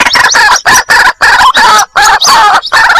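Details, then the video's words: White-breasted waterhen chick calling for its mother, a lure recording: coarse, buzzy notes pulsing about three times a second in a steady, insistent series, each note rough with a brief rising inflection. "suara pikat ruak-ruak mp3 anakan panggil indukan"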